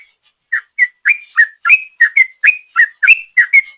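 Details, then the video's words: Sooty-headed bulbul, a lure recording of the long 'ropel' song style: quick run of short whistled, slightly buzzy notes, each rising then dipping, repeated about three times a second for three seconds after a brief pause, no other sounds. "Trucuk Gacor ropel panjang,suara ropel trucuk ini paling di cari ropel mania"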